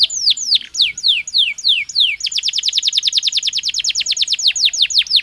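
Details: Belgian canary singing slower drawn-out falling whistles, then switching to a fast, dense trill of short bright notes.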